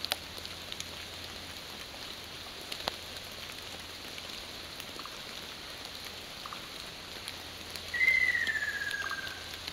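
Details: Ruddy kingfisher in June 2012, singing from a visible perch rather than high up as usual, gives one loud, rolling downward-sliding whistle of about a second and a half near the end, over a steady hiss of rain; finding: Ruddy kingfisher.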